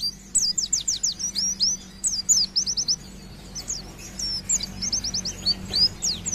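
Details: Oriental white-eye in vigorous 'nembak' song: clear, high, downward-slurred whistles given in quick groups of three to five, over a steady low hum and background noise.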